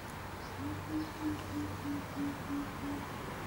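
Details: Greater coucal (Centropus sinensis intermedius) calling at Khao Yoi, Phetchaburi, Thailand, on 6 July 2013: a steady series of about eight deep, hollow booming notes, roughly three per second, over a low background rumble.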